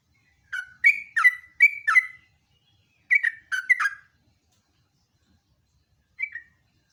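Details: Lure recording of sooty-headed bulbul ngeropel song, the bird known as jogjog or trucuk: two quick runs of rich slurred whistles, then silence and a single closing phrase.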